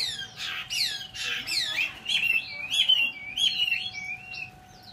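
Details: Loud, varied song of a Chinese hwamei, mixing sharp descending whistles with quick warbled runs and sliding notes, strongest in the middle and fading at the end, with a low steady hum behind.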